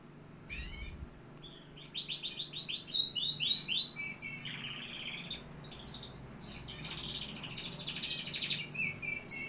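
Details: Canary from Algeria in full song, a continuous stream of rapid chirped trills and rolling buzzy phrases, shifting pitch between phrases, with low background hum.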